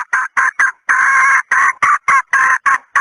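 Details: Female red junglefowl decoy call: rhythmic raspy clucks at about four per second, one drawn-out note in the middle, harsh and nasal, over a constant faint high-pitched whine.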